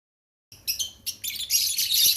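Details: Fischer's lovebird chicks, African lovebirds ready to leave the nest, give high, hissing, raspy chirps in dense bursts after a brief silence, rising into a continuous wheezy chatter.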